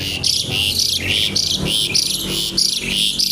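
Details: Javan pied starling in full kretekan nggaruda song: loud scratchy high chatter bursts alternating with lower rasping notes, repeated roughly every half second.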